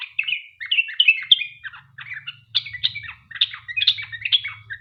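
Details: Sooty-headed bulbul singing a long, lively song used as a lure to prompt other bulbuls to sing: bursts of short, bubbly chirps and warbled notes, run together with brief gaps, with a faint low hum beneath.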